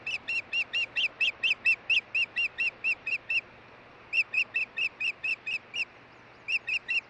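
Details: Osprey on its Montana nest at Hellgate during a changeover, June 2013: long series of loud, high whistled cheeps, about fourteen in a row, then seven, then three, over a low mechanical hum.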